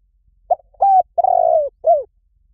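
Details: Spotted dove calling for luring wild doves: one phrase of four coos, the third long, throaty and vibrating while falling slightly, the last short and dropping, in near silence.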